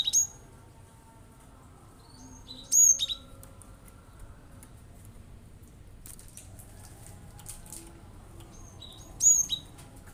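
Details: Cinereous tit in full song, rapid shooting notes meant to provoke other birds into singing; short bursts of very high, sharp chirps at roughly three-second and six-second gaps over a quiet low hum.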